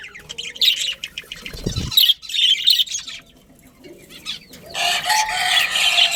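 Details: Budgerigars in a breeding colony, a family group of Australian parrots: bursts of high, scratchy chirps and warbles, a low thump near the middle, then a loud broadband rush that sounds like wing flapping mixed with chatter.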